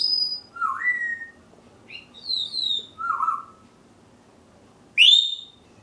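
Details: African grey parrot, a household pet, whistling a varied sequence of clear tones: short high notes, lower slurred whistles and a final loud upswept call, with low room hum throughout.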